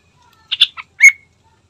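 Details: Lure song of a yellow-vented bulbul, played so a bird starts singing: a tight burst of three brief chirps followed by one louder, slurred whistle that trails off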